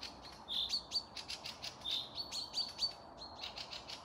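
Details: Spring birdsong in forest by Panika village, Tver region, Russia, 12 May 2024: a chorus of high, rapid chirps and short pure whistles, several notes held briefly, with dense clicking strokes running throughout.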